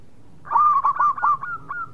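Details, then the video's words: Single phrase from a local zebra dove in lively song: a loud, wavering, cooing warble lasting about a second and a half, fading into softer notes. "Perkutut Lokal Gacor Suara Mewah"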